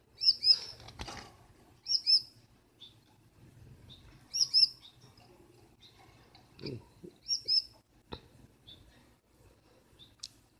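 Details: Gouldian finch female fussing at her blue male from inside the nest at night, keeping him waiting outside: several paired, high, thin chirps in the first seconds, then scattered clicks, rustles and faint low knocks.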